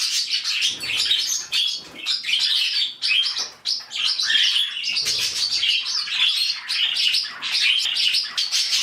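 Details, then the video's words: An indoor flock of budgerigars, with newly introduced birds joining, screams together in a constant high, harsh, noisy chatter filling the room. "Oh, the Budgies are screaming. They're all screaming. So noisy in here."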